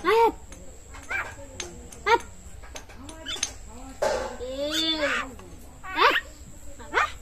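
A common myna talks in short speech-like bursts of words, harsh and slightly nasal, mixed with a few squeaky chirps. It sounds indoors, with a faint steady hiss behind.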